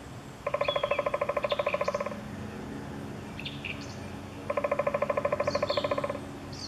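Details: Eurasian three-toed woodpecker at Chvalčov, Czech Republic, in August 2013: two rapid, even series of hollow, tonal knocks lasting about one and a half seconds each, with thin high chirps from other small birds in between.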